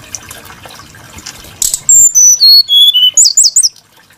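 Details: Brown-chested jungle flycatcher, noted for its varied and melodious song, giving a descending series of five or six clear pure whistles, each lower than the last, ending in fast high twittering notes after a quiet start.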